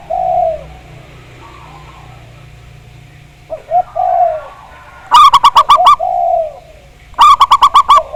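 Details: Zebra dove lure song meant to prompt a bird to sing. Mellow, drawn-out low coos lead into two bursts of rapid, loud, ringing notes, six or seven notes per burst, about two seconds apart.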